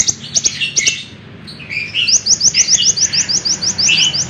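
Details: Lemon-bellied white-eye song meant for tutoring other birds: opening high chips and warbles, then a fast even series of rising thin notes repeated about three times per second.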